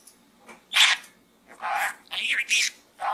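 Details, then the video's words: Budgerigar chattering inside a small gourd, producing several harsh, breathy speech-like bursts and a short warbled squeak, with pauses between them. "Bird Talk in the small gourd Part 2"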